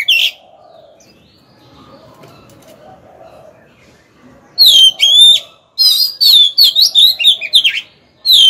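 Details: Captive decoy Oriental magpie-robin singing to stir up and lure rival males into fighting. After a quiet start with a faint hum, loud clear whistled and warbling phrases burst out, sliding up and down, in quick bursts separated by short pauses.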